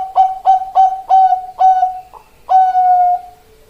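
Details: Male zebra dove of Bangkok type cooing: a run of five short, clipped, evenly spaced coos at a steady pitch, a brief softer note, then one long drawn-out coo.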